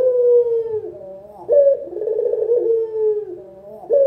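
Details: Local puter collared dove cooing, recorded as a master sound for beginners: a long, falling, smooth tone, then a sharp onset into a purring trilled coo, repeated twice in quick succession.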